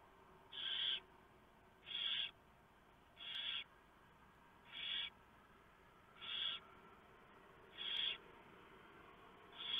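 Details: Barn owl nest before dawn, 3 November 2015. The male brings a very large mouse and the female tears it up for the owlets. A run of seven rasping hisses, each about half a second long, come roughly every 1.3 seconds.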